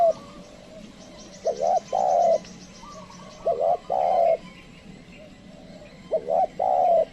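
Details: Spotted dove used as a trained decoy, calling wild birds that do not come close. The phrase is a short double coo followed by a longer coo, given three times. A rapid high trill sounds briefly near the start.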